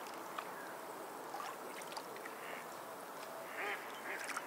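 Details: Seabirds at the seashore giving several short, nasal calls spread across the clip, clustered near the end, over a steady hiss of breaking waves.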